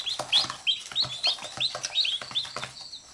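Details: Domestic chickens, a mother hen with her chicks that nip at her while she pecks them up: shrill downslurred chick peeps about three per second over soft, low, pulsing hen clucks.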